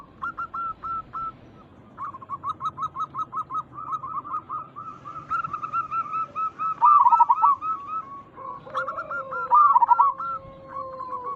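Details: Local zebra doves, a lure recording meant to draw replies: long series of clipped coo notes speed into a run, then loud rolling coos. A lower steady tone comes in near the end, and several birds overlap.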